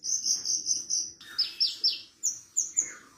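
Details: Javan bush lark singing for training other birds: a run of five short buzzy high trills, then a series of sharp, downward-sweeping whistled notes, ending with quick bright chips.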